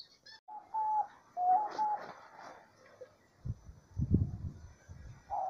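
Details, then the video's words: Diamond dove singing in nature: a few soft, level coos, one stepping up slightly, followed by low rumbling thuds and background noise, with another coo beginning at the end. "CANTO DA ROLINHA DIAMANTE NA NATUREZA"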